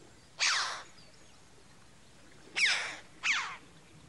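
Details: Red-billed chough (Pyrrhocorax pyrrhocorax) in the UK giving three loud, harsh, ringing 'chee-ow' calls spaced a second or two apart, with faint background hiss.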